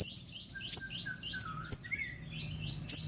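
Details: Common iora's sharp, high shots mixed with thin slurred whistles, some sliding down to a lower pitch, over a faint low background hum.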